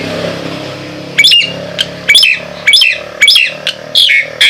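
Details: Nias hill myna calling over a steady low background rumble: loud, harsh-edged whistled notes that drop in pitch, delivered in a string about every half second.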